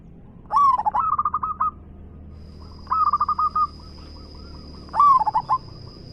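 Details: Local Indonesian zebra dove (perkutut), a frequent singer with a big voice, giving three loud cooing phrases about two seconds apart, each a swooping coo followed by rapid beaded stuttering notes; a steady thin high whine runs through the second half.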